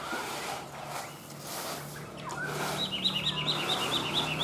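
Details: Chinese hwamei kept as a tame cage bird in Vietnam: muffled notes, then a quick, high, bubbling run of repeated looping whistles near the end, with a low hum beneath.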